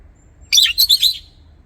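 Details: Chirping lovebird gives a brief burst of tumbling, shrill twitters, several squeaky notes crowded together in under a second, against near silence.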